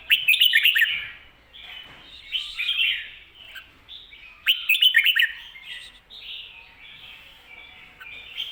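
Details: Red-whiskered bulbul kept in a cage sings the doubled 'kho-ta-ra' style used to teach other bulbuls: loud, chattering warbled bursts about every two to three seconds, softer flowing phrases between them.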